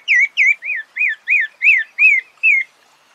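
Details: Wild Brazilian Pale-breasted Thrush (Sabiá-barranco) singing in nature: a quick run of eight bright, rising-then-falling whistled notes, about three per second, evenly pitched, ending in silence; a clean background.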